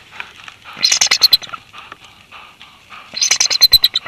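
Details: Wild bald eagle pair at their nest in Big Bear Valley on 2021-02-26, incubating a second clutch of two eggs during an incubation change. High, squeaky staccato chatter comes in two quick bursts of rapid notes separated by a soft pause.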